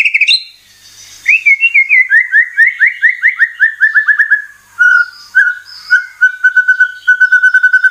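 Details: White-rumped shama song used to lure caged birds into singing: a loud opening whistle, then a long descending run of quick slurred notes, settling into evenly repeated, clear whistled notes.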